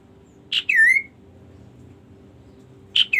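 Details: Kaso-kaso bird singing: a sharp opening note then a downslurred whistle curving back upward, repeated after a gap of over two seconds, clear and close against a faint steady hum.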